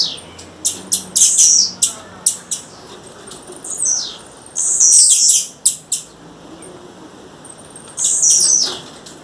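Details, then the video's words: Wild female blue-black grassquit calling a male. A rapid burst of sharp high clicks opens, followed by scattered chirps and three drawn-out, very high buzzy notes. "Tiziu fêmea, fêmea de tiziu chamando na natureza, tiziu fêmea macheando e tiziu cantando!"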